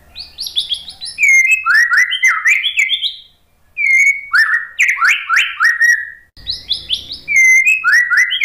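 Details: Caged white-rumped shama (murai batu) from Indonesia, played to prompt a silent, stressed bird to sing back: rich varied phrases of rising whistles and sharp slurred notes in three bursts, with brief pauses between.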